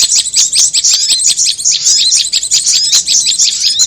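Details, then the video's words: Prinia sound lure, rapid high chirps and twittering notes packed densely together, sharp upslurred and downslurred whistles repeating almost continuously, with a second small bird mixed in. "Suara pikat korlap dan Prenjak bawah joss gandos"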